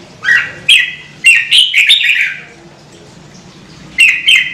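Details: Red-whiskered bulbul singing a run of bright, slurred, warbling notes, then falling silent for over a second before starting another pair of phrases. Loud clicks are mixed in.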